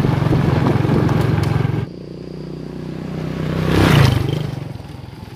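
A motor engine rumbles with a steady low throb, loud for the first two seconds, then quieter, then swelling again as a vehicle passes near the four-second mark; no animal voice stands out.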